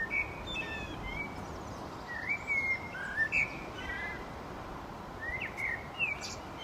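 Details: Common blackbird song of soft, fluty whistled phrases with brief twittering endings, several short notes scattered through the seconds, over a steady broadband background hiss.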